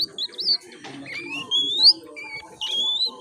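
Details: Young oriental magpie-robin learning to sing (ngiriwik). It gives a few separate thin, clear whistles, some rising and some wavering, spaced by short pauses, over a soft background murmur.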